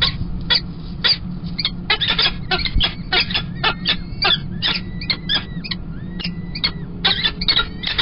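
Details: Peregrine falcon chicks in a nest at Kingston College on 28 April 2021, fed first by the male and then by the female, who afterwards covers them. Dense bursts of sharp, high, squeaky calls, rapid and irregular, over a steady low hum.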